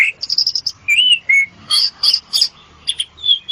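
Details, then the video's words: Brief ngetop song of an Asian pied starling, used as therapy: a rapid chip series, a rising clear whistle, then harsh noisy bursts and high thin notes over faint low background hum. "Kicau super jalak suren ampuh untuk terapi"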